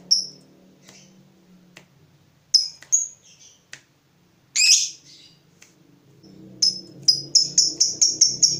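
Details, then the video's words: Provoked fighter lovebird reacting to a rival, giving scattered sharp high squeaks and one harsh screech, then a closing series of quick repeated piercing notes over faint room noise. "Terpancing Emosi Begitu Lihat Lawan, Lovebird Fighter ini Langsung Narung"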